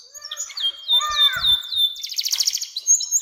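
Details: Canary long song, meant as a lure to get young canaries singing: varied high whistled phrases, falling slurred notes, then a rapid buzzy trill near the end, with faint low thumps.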